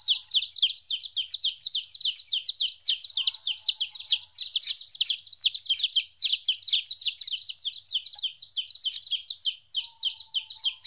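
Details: A group of chicks 14 days old, newly separated from their mother, keeping up an unbroken stream of piercing downward peeps, several birds calling over one another.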